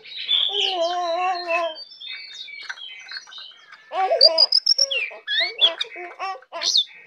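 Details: Brown prinia singing tamely and continuously: an opening nasal, wavering tone with low buzzy layers, then quick high chirps, slurred whistles and a burst of sharp staccato notes.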